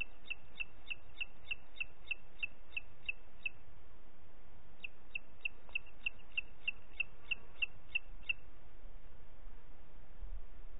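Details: In Parc Natural dels Ports on 30 June 2021 at 11:01, a booted eagle gives two bursts of rapid, high, clipped notes separated by a pause of about a second, with steady low rumble beneath.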